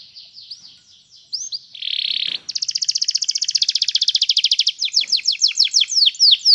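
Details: Singing canary in a recording meant to teach a canary to sing. A few upslurred whistles lead into a dense buzzy roll, then a long fast trill of rapid pulses, ending in loud downward-sweeping whistled notes repeated several times a second.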